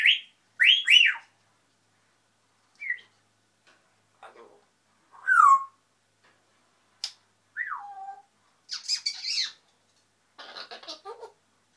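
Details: Grey parrot kept as a pet, chattering away to itself in a mix of sharp rising whistles, falling slurred notes, soft clicks and raspy squawk-like bursts scattered across twelve seconds.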